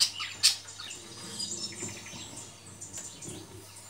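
Budgerigars give soft, high chirps and scratchy chatter with a couple of sharp clicks.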